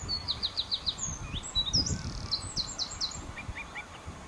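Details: Bluethroat song from Texel, Netherlands: quick repeated high ticking notes in a run, a brief pause, then another rapid series of descending notes and a few softer lower whistles, over wind noise.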